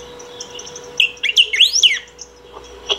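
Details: Saffron finch, called picahueso, singing continuously to call or train: a quick burst of looping whistled sweeps climbing and dipping in pitch, then a few soft isolated chips.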